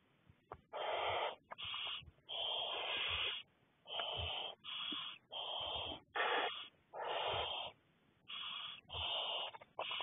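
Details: Six barn owl chicks begging while being fed by an adult, 2 May, with harsh, breathy hisses and snoring wheezes, each about half a second to a second long, repeated almost continuously by several overlapping young.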